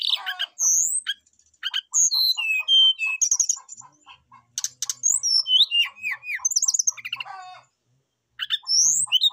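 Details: Brown-chested jungle flycatcher calling a rival, singing vigorously with filler phrases: long rambling runs of sweet whistles, upward slurs and sharp clicks over soft repeated low notes, with a brief pause near the end.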